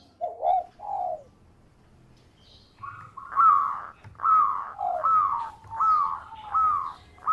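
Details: Local zebra dove, a lively singer with a sweet voice suited for luring birds: two soft warbled notes, a pause, then a string of bright rising-and-falling cooing phrases repeated roughly every second over quiet background.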